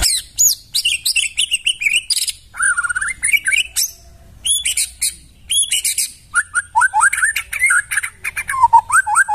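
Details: White-rumped shama singing in the forest, recorded as tutor material for training caged birds: a rich, fast medley of high whistles, sharp chirps and rising and falling slurred notes, broken by short pauses.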